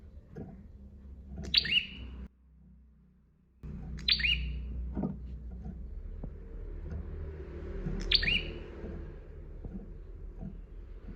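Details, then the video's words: Bar-winged prinia in a master recording for training songbirds, singing actively: three sharp chirps, each a high clipped note dropping to a steadier lower tone, spaced about three seconds apart over a low humming background with a brief gap. "KICAUAN SUARA PRENJAK GACOR DOR . . . MASTERAN TERBAIK PRENJAK GACOR DOR"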